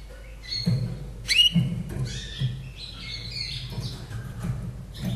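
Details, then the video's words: Slavujar singer from Austria, a 2011 bird in captivity, gives a sharp rising whistle followed by warbled, sliding phrases and held tones, set against a low, pulsing background hum. "Mein Slavujar Singt ein kleines Lied"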